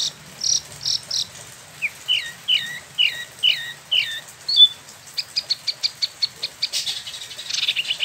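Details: Caged spot-throated babbler, imported from mainland China and Vietnam and kept in Bandung, West Java, Indonesia, sings in the rolling ngeroll style: bright downslurred whistles repeated in a quick series, then a run of short, sharp, high chips.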